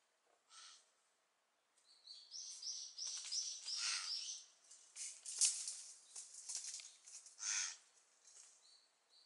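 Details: A young Lidth's jay practising for fledging gives harsh, raspy bursts mixed with short high squeaky notes in uneven runs with brief pauses, with faint rustling in the background.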